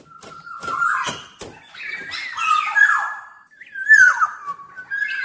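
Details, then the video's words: Black-naped oriole whistling sustained fluty notes mixed with rough, harsh elements, punctuated by sharp clicks and taps. "Burung Kepodang Super Gacor"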